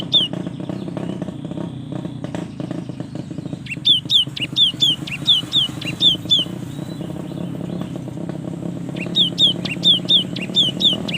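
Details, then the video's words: Cinereous tit song used to prompt lazy young tits into singing: bursts of short, slurred, descending whistled notes repeated rapidly, in two phrases separated by a pause, over a steady low rumbling background. "SUARA yang PALING DI SUKAI BURUNG GELATIK"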